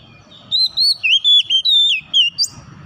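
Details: Oriental magpie-robin song played as a lure to get a silent, off-form bird singing again: a string of clear, sweet whistled notes, some rising and some falling, ending in a sharp high upslur, over faint low background rumble.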